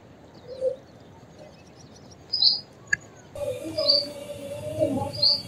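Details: Purple sunbird, a male in eclipse plumage or a juvenile, giving a few sharp, high, thin chips about a second and a half apart, over a steady background hum and one sharp click.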